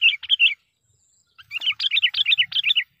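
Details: Sooty-headed bulbul kept as a lure bird to provoke wild rivals: a short burst of rolling whistled notes, a pause, then a faster run of about ten bright rising-falling chirps.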